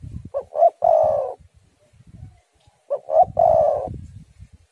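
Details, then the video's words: Spotted dove singing, a lure recording meant to set other doves cooing, with stormy wind. Two phrases, each two or three short clipped coos followed by a longer drawn-out coo, about two and a half seconds apart, with faint low wind rumble. "tekukur super gacor suara angin ribut"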